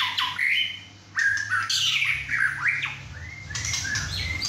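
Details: At six and a half months, a captive male White-rumped shama singing hard in his first session at home with two other birds: quick rising whistles and harsh bursts in short phrases.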